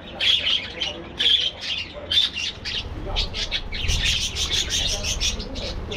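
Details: Colony aviary budgerigars: a few separate bright whistled chirps about once a second, then many birds join in a dense, buzzy twittering chorus, low hum underneath.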